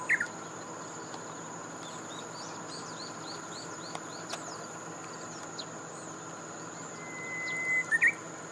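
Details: Japanese bush warbler singing: a few brief clipped notes open, then after a pause a long, steady whistled tone that ends in a sharp, loud flourish. Faint high twittering from other small birds in between, with a steady high hum throughout.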